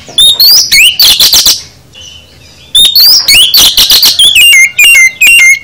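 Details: Full song of an oriental magpie-robin, played to coax caged birds into singing: rapid whistled sweeps and harsh chattering bursts, a brief pause, then another burst ending in repeated clear descending whistles.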